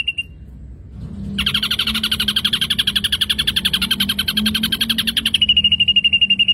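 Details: Ashy drongo song used as a lure, with mimicry filler: a short high note, a pause, then a long buzzy chattering trill with layered tones, settling into a thin, rapidly pulsed whistle.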